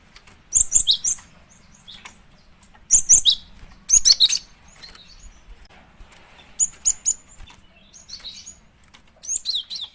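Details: Lure sound of a female cinereous tit: repeated bursts of high, sharp chirps, three or four notes at a time, recurring every few seconds over a quiet background.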